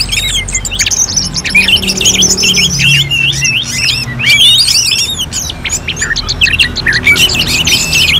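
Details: Orange-headed thrush in a competition-like song. Continuous rapid chattering and squeaky whistles are layered thickly. A soft low droning tone sits beneath the birdsong.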